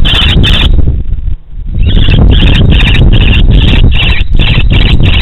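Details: Common kestrel in Romania on 3 March 2016, calling during mating: a shrill, scratchy ki-ki-ki. Rapid harsh notes repeat about every half second with a brief break. Strong wind rumble runs throughout.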